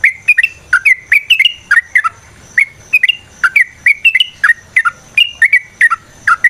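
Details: Yellow-vented bulbul song meant to provoke a fighting response: short bubbly, slurred notes in quick clusters, each phrase of two to four notes, repeated steadily over six seconds with a faint low hum beneath.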